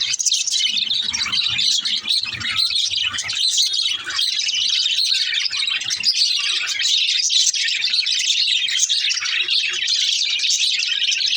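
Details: Young budgerigar's song: a continuous, busy stream of high chirps, trills and scratchy warbling notes that hardly pauses, with faint low thumps in the first few seconds.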